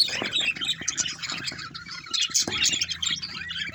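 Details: Budgerigars twitter in a busy, uneven chorus of squeaky chirps, with a few sharp clicks standing out.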